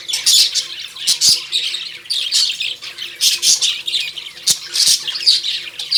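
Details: Lovebirds in a cage at home chattering in harsh, high squawks and chirps, bursting repeatedly in quick overlapping bouts with brief pauses between.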